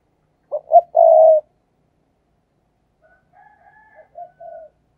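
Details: Perched decoy spotted dove in fast 'thúc gù' cooing: a crisp double note and a long coo, followed after a pause by faint, softer distant cooing notes.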